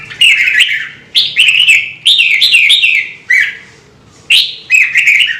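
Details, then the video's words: Red-whiskered bulbul singing in a Vietnamese recording used to push birds into lively song: five punchy phrases, each opening with a rising note then rolling into bubbly, slurred warbles, separated by brief gaps over a soft low hum. "CHÀO MÀO | Kích chim nhạy hót - Thúc chim hót hay căng lửa"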